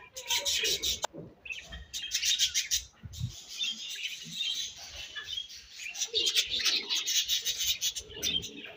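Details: Pet budgies chirping as they eat; a dense, continuous high chatter of buzzy warbles and clicks, with fluttering and scratchy rustling underneath.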